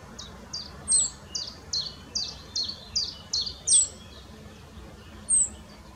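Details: Male rock bunting carrying a grasshopper in the Moselle valley near Valwig, Germany: thin, high, short notes repeated about every third of a second. Occasional sharper, higher slurred notes stand out above a soft rural background hiss.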